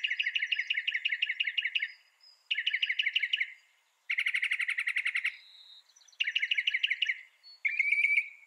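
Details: Song of a northern mockingbird: successive runs of quickly repeated notes, each run a different pattern, including a dense buzzy trill and a rising whistled phrase at the end.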